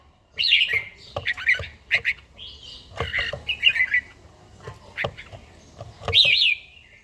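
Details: Red-whiskered bulbul in a cage singing at dawn training: chattering, slurred whistled phrases mixed with sharp clicks and taps. Notes come in bursts, with a final strong looping whistle near the end.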